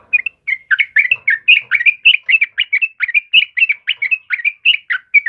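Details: Yellow-vented bulbul, the lively 'trucukan kebo' type, recorded as a master and lure sound for training caged birds: a fast, unbroken chatter of bubbly, warbling notes, each note quickly rising and falling, with no pauses.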